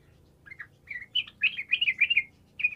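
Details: Gacor song of a sooty-headed bulbul, used to coax bisu, or silent, birds into singing: a quick phrase of bright, liquid up-and-down notes that builds to a rapid chatter, then one final clear note.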